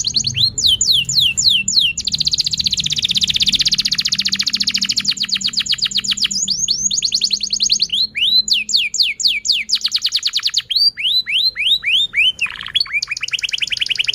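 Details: Canary in long, energetic song, played as a lure to prompt young canaries learning to sing and silent canaries to sing: rapid trains of high downslurred notes, one long buzzy rolled tour, then fast sweeping phrases, with a faint low hum beneath.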